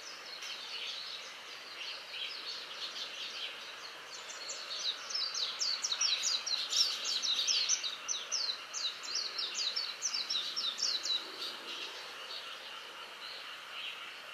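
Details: Japanese white-eye at dusk in a tree near a house: soft scattered high notes build into a dense, fast twittering warble in the middle, then fade back to sparse chirps, with steady background hiss.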